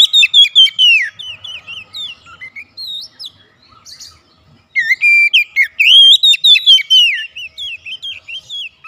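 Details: A kept Oriental magpie-robin at home, singing actively during daily therapy: bursts of clear, fast whistled notes swooping up and down, a quiet gap near the middle, then another loud run of varied whistles.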